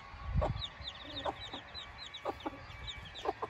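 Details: Newborn Silkie chicks outside for the first time with hens, 24 chicks and four hens: soft, high curved peeps running throughout, with occasional sharper clucks and a low thump early on.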